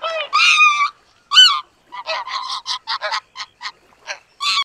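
Greater white-fronted goose giving harsh, nasal honks with a laughing, yelping edge, followed by a quick run of short clipped calls about twice a second.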